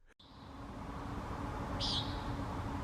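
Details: A Common Nighthawk in Texas gives its daytime call, one short, buzzy, nasal peent, over a steady low rumble of background noise.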